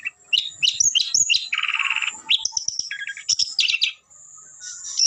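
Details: Long-tailed shrike song mixing sharp high chirps, a rasping buzzy rattle, and short whistled slurs, delivered in quick varied bursts with a brief pause near the end.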